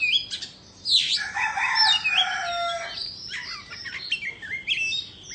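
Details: White-rumped shama of the Indo type, singing while dancing: a rough descending screech, then layered harsh, mimic-like notes and long whistles, followed by lighter rising whistled phrases.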